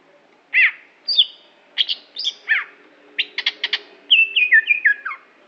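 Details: Aceh greater green leafbird, a competition songbird, delivering loud varied phrases: downslurred whistles, quick clusters of sharp chips, and a closing run of descending stepped whistles.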